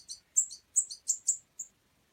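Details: Juvenile European goldfinch begging while hand-fed as a fledgling: a quick run of about seven sharp, high-pitched chirps within two seconds, each bright and clipped, over a quiet background.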